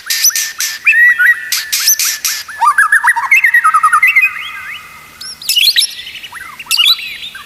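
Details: Tutor song of a white-rumped shama, played to teach other shamas to sing steadily. It is a fast, varied stream of sharp chirps, trills and looping whistled notes, with rapid repeated phrases in the middle.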